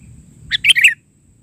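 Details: Vigorous sooty-headed bulbul (kutilang) giving an isian filler song in the bahari style: one quick bubbly phrase of four or five chirped notes packed into half a second, then quiet apart from a soft low background hum.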